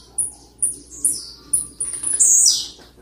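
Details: A blue-black grassquit sings persistently, a recording meant to provoke other birds: very high, thin buzzy notes about every half second, ending in a louder, longer buzzy phrase.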